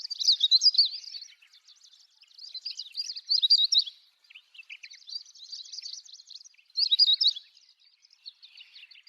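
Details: Siberian long-tailed rosefinch calling in repeated bursts of fast, high twittering notes, several seconds apart, with softer chatter filling the gaps.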